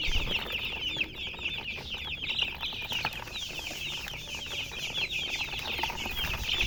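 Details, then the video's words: Baby chicks chirping, a dense continuous chorus of many high peeping chirps over steady background noise. "Baby "Chicks Chirping" Sound"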